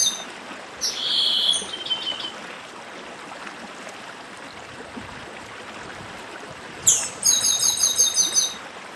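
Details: Chestnut-bellied seed finch (papa-arroz do Nordeste) in dedim song beside a stream: an opening buzzy high trill, several seconds of only rushing water, then a sharp slurred note and a rapid run of repeated high buzzy notes.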